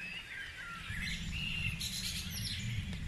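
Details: Dawn chorus of mixed birds at Guisborough, with overlapping whistles and chirps high in pitch and a steady low rumble of background noise underneath.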